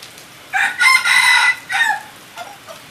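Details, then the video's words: Captive red junglefowl hybrid crowing: a hoarse broken crow in several parts over about one and a half seconds, then a shorter trailing note and faint tail, steady background hiss. "Qaib qus txuam daj zoo nraug(เชลยไก่ป่าลูกผสมสวยๆ)"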